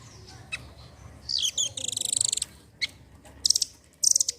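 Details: Velvet-fronted nuthatch singing lively as a lure to get quiet birds to sing: high, shrill chip notes leading into a long rapid rattling trill, then short high trill bursts.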